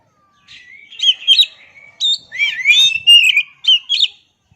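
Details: Oriental magpie-robin in full song: a continuous, varied run of warbled whistles, downward swoops and sharp accented notes lasting about four seconds, clean and loud.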